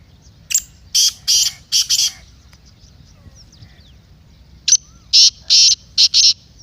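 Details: Black francolin (kala teetar) call, used to excite a kept francolin for masti and chakri. Two loud, harsh, grating phrases, each of about five rasping notes, are separated by a pause of nearly three seconds. Faint whistles sound in the background.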